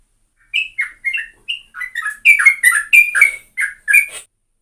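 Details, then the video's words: Sooty-headed bulbul singing vigorously, recorded as a lure. A few clear whistled notes open the phrase, which quickens into a rich burst of overlapping chirps and warbles before stopping abruptly. Quiet background. "Ini Baru Pancingan Trucuk Sesungguhnya - Burung TRUCUKAN GACOR"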